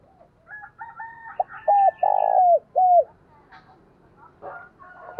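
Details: Spotted dove cooing to lure wild doves in thổ sấm voice: one loud phrase of short notes, a held coo, a long buzzy descending coo and a falling final coo, with other birds calling around it.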